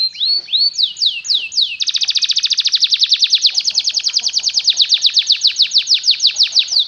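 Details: Belgian canary singing, used as a lesson for young canaries learning song: a few looping downslurred whistles, then a long fast rolling trill of sharp repeated notes held steady for several seconds.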